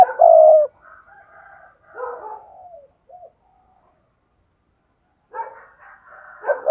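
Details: Spotted dove in thúc gù style, cooing vigorously for luring wild doves. A loud drawn-out low coo opens, followed by softer breathy notes, a long silence, then a rising burst of notes.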